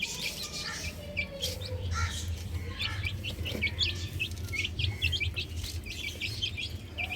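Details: Several chicks on a roof peep in short high notes, sparse at first and then rapid and steady, above a strong low rumbling background.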